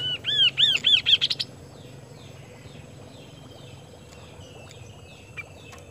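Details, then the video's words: Kaso-kaso bird singing actively in Indonesia: a quick phrase of four or five loud arched whistles that speeds up into short rising high notes, then a faint background with distant chirps. "BURUNG KASO KASO GACOR GIPAN"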